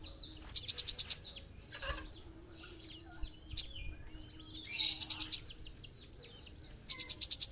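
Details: Lively olive-backed sunbird (kolibri ninja) song: three bouts of rapid, high-pitched ticking trills, six to eight notes each, separated by thin downslurred whistles and scattered chirps, with a faint low hum underneath.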